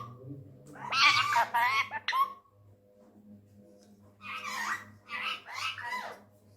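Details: Angry tame male Indian ringneck parrot talking in Urdu/Hindi indoors: two bursts of raspy, high-pitched, wavering speech-like phrases about two seconds apart, separated by a quiet gap, with a steady low hum underneath.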